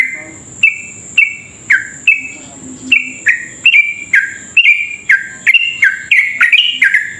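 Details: Fast, sustained song of a lively yellow-vented bulbul, used to trigger rapid singing in other birds. Crisp falling chirps start spaced out and then speed up into close bursts, with a steady thin whine behind.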